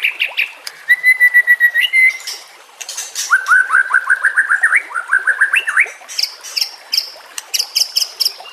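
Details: White-rumped shama song for luring and training shamas: a quick burst of notes, a steady whistle, then two long runs of rapid rising whistled notes, followed by high sharp chirps.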